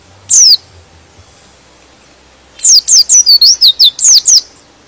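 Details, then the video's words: White-eye (pleci) song meant to agitate other white-eyes into singing: one brief high sliding note, a pause, then a rapid burst of about eight thin, descending chirps in quick succession. "Suara Pleci ini bikin Pleci Lain Emosi dan ikut Gacor"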